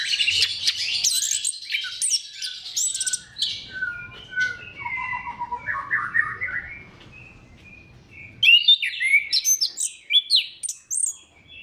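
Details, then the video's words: Orange-headed thrush song meant to stimulate other thrushes to sing: a varied phrase of chirps and descending whistles, then a pause, then a burst of sharp rapid twitters. "KICAUAN SEBENING KRISTAL ANIS KEMBANG GACOR PANCINGAN MANJUR"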